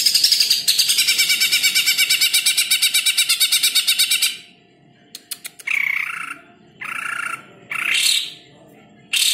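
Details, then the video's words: Greater green leafbird in a training recording: a long, rapid, high trill of sharp repeated notes for four seconds, then ticks and several harsh squawk-like bursts. "Masteran ampuh cucak ijo"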